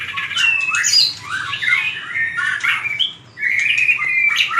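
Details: White-rumped shama giving a fighting-style song used to train birds: varied clear whistled phrases with quick slurred rising and falling notes, a brief pause near the end, then bright whistles resuming.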